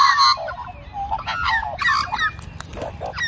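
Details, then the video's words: Several magpie families living together sing for an elderly man who feeds them, giving a rich jumble of fluting, wavering notes and short squawks. A man says "very good" afterwards. "Magpie Army Serenades Old Man"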